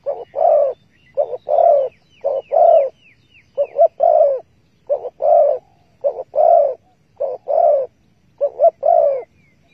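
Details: Spotted dove in a bird trap set with bare bait, 15 August 2020, cooing steadily. About eight phrases, each a clipped double note leading into a longer throaty coo, repeated roughly every second with brief pauses.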